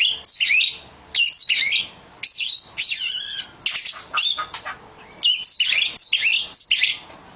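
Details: Oriental magpie-robin (kacer) singing loud, high, varied whistled phrases in short bursts of about half a second to a second, separated by brief pauses, with sweeping and warbled notes and no other clear sounds.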